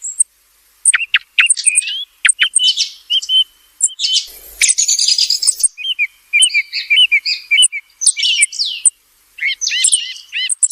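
A thrush sings a lively run of clear whistles and scratchy trills, with short phrases repeated in quick succession at a high pitch. No other sounds.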